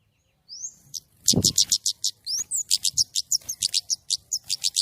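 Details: White-rumped shama singing energetically with a clear voice: rapid series of sharp, high whistled notes about four per second, with a rising slurred whistle at the start and a low thump beneath.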